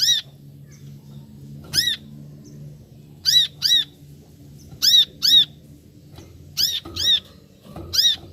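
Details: Brown-throated sunbird giving loud, piercing chirps, often doubled, spaced irregularly over eight seconds against low background hum.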